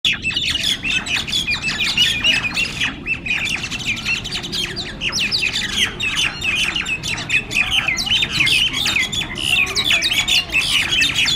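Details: A gang of mynas in communal aggressive fighting squawk and chatter loudly over one another in a dense, harsh tangle of calls, with no pauses throughout.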